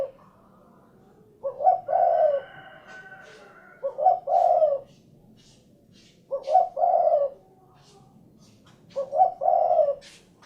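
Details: Spotted dove, locally derkuku, cooing in four phrases about every two and a half seconds, each a short note leading into a longer low coo, with faint clicks and rustles between.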